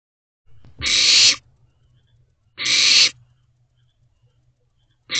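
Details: Barn owl owlets huddled together in a nest box at 9:12 pm on 22 May 2023, waiting for food: harsh, hissing rasps about half a second long, repeated roughly every two seconds, with faint rustling between them.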